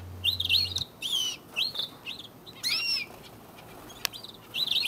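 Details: Belgian canaries in early March, in the breeding season as they start nest-building. On an early morning a male takes a bath, with bright, high chirps in quick bursts every second or so and brief soft fluttering or splashing between phrases.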